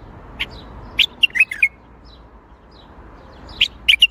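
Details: Baghdadi-style singing by a bulbul: two short bursts of rich, quick warbled notes separated by a pause of about two seconds, with a low hum in the background.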